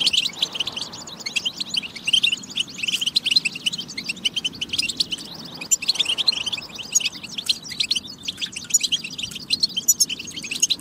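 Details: European goldfinch batba song to encourage goldfinches to sing: thick, continuous high chattering and trilled twitters with no pauses, likely more than one bird, and a low hum behind.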